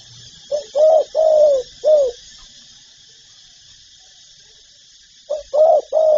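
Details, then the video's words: Spotted dove phrase, in a repertoire of calls meant to excite decoy birds: four soft, low coos with the third longest, a three-second silence, then three more rising and falling hoots. "Tiếng chim cu gáy đủ bài gáy gọi, thúc, gù"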